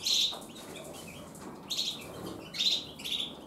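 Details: Caged Gloster canaries, a breeding pair preparing to breed, giving short bright high chirping bursts and brief twittered phrases at intervals over a steady background hiss.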